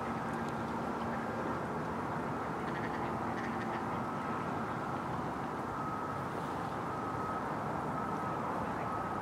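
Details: Adult male and female mallards (Anas platyrhynchos) at Domaine Maizerets, 27 March 2018, giving a few harsh, nasal quacks in short bursts over a steady background hum like distant traffic.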